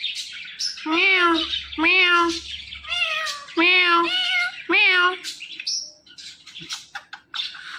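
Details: Indian ringneck parakeet talking: five loud, wailing, meow-like utterances with rich harmonics come in quick succession over about four seconds, followed by softer scratchy chatter and clicks.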